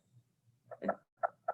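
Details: A great horned owl clacks its bill, a sign it is irritated and unhappy: three sharp, hollow clacks about a third of a second apart, over a faint low hum.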